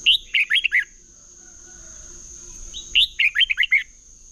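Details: Red-whiskered bulbul in competitive 'chè' singing, a lure recording for training and stirring bulbuls to sing: two quick bursts of five or six warbled, bubbling notes about three seconds apart, over a steady thin high whine.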